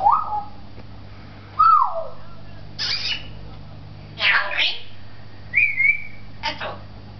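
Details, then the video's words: Captive talking African grey parrot in a Beit Hanina pet shop, Palestine: falling whistled notes, broad raspy squawks, a wavering high whistle and a final harsh note, spaced about a second apart, with steady indoor hum. "the talking African Grey"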